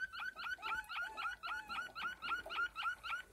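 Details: Waterslager canary of the Malinois breed singing a rhythmic series of liquid, bubbling notes, about four per second, with gliding whistles woven between them.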